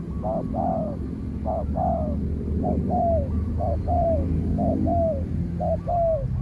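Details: Spotted dove in a calling fight with another spotted dove that stays at a distance; short clipped coos each followed by a drawn-out falling coo, repeated evenly, over strong low-pitched background hum.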